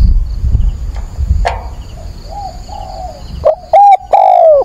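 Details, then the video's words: Spotted dove used as a decoy, calling at dawn on 22 October to provoke wild doves. Soft distant cooing is heard first, then one loud close phrase of short hoots ending in a long, slightly falling coo. "Cu mồi gáy gọi"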